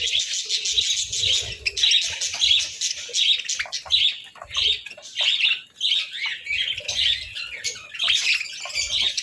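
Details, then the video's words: Pet budgerigars chirping melodically at breakfast over boiled eggs and bread during winter; dense overlapping warbled chirps and squawky notes from several birds, continuous and rapid, with faint low thumps in the background. "Breakfast Serenade: Budgies' Melodic Chirps over Boiled Eggs and Breads"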